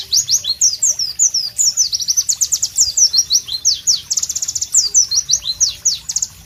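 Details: Pleci, the White-eye, delivering a loud and melodious masteran song: quick high falling whistles strung together at varying speed, some notes clustered into fast trills, with no other clear sounds.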